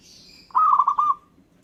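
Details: Zebra dove of local type singing one bubbling coo phrase: about six quick rolled notes at even mid pitch, ending in a short fading tail, after a faint high hiss; the song is said to draw replies from other birds.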